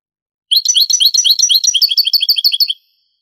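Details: European goldfinch song in the Granada style from an old Spanish tape of the 1980s–90s: a fast, steady string of bright chirped notes, repeated quickly and evenly for about two seconds.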